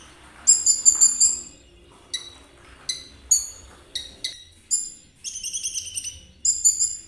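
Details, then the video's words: Konin in full song, recorded as a lure to stimulate ninja sunbirds to sing; very high thin trilled bursts, some quick rapid stuttering series and single sharp notes, spaced irregularly about every half second to second. "suara konin Trotol"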